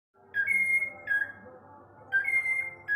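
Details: Whiteface Lutino cockatiel giving clear whistled notes, each starting with a short lower note and then sliding up to a sustained tone. The phrase comes three times, with a soft hum in the background.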